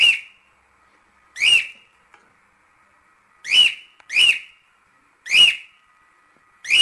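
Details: Cockatiel whistles used to teach cockatiels singing: six clear rising-then-falling notes, partly in pairs, with gaps of about a second between them and a low faint hum in the background.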